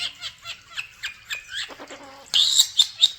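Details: Common starlings kept in a bird room: a run of soft chirps and clicks, then a bright, loud series of four shrill whistled notes.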